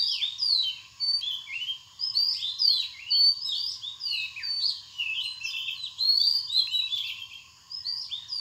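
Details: Purple sunbird in Bangladesh giving a busy stream of high, sharp twittering chirps and rising and falling slurred notes, about two per second in uneven bursts, over a constant low electrical-sounding hum.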